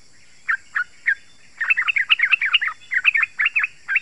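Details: Bulbul lure recording for wild and home-kept yellow-vented bulbuls: three spaced chirps, then a lively, dense tumble of sharp warbled notes, ending with a few separate calls.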